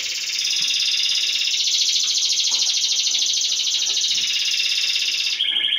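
A Timbrado canary sings a continuous, rapid, rolling trill held for over five seconds, then shifts to a lower phrase at the end; faint room noise underneath.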